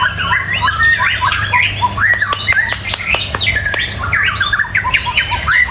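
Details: White-rumped shama (murai batu) singing: a continuous, rich stream of varied whistles, rapid chattering phrases and sharp rising and falling notes, over a steady low hum.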